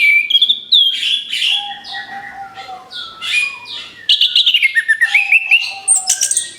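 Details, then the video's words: As a lure for other birds, an orange-headed thrush runs through bright rising whistles, twittering phrases and a steady lower note, ending in a fast stream of high chirps. "SUARA ANIS KEMBANG BUAT PANCINGAN MAUT"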